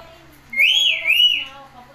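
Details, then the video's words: A pet parrot says the word "mitthu" clearly, a rising-falling whistled two-part utterance lasting under a second, over faint background hum. "roozi is saying mitthu clear"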